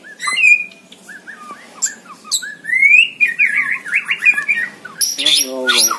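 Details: Caged white-rumped shama in full song (gacor), recorded as training material for other birds: clear upslurred and downslurred whistles, a long rising whistle, then a rapid jumble of bright notes and a harsh buzzy burst.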